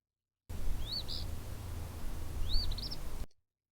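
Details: An Eastern Phoebe, the single bird singing in a quiet late-afternoon soundscape just after 5 pm, gives two raspy, high fee-bee phrases about a second and a half apart over a steady low rumble.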